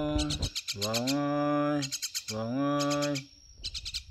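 A common myna mimics speech: two drawn-out, voice-like vowels of about a second each, set among bursts of quick, sharp chirps and clicks.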